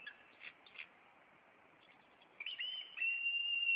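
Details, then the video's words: At a Maine bald eagle nest, April 26, during an intruder chase: scattered soft chips, then a rising, sustained high whistle that grows louder to the end. "Maine Eagles Intruder"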